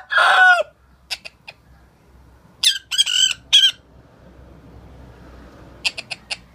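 A sun conure gives a loud, harsh call mimicking a rooster's crow, followed by shrill squawks and clicks.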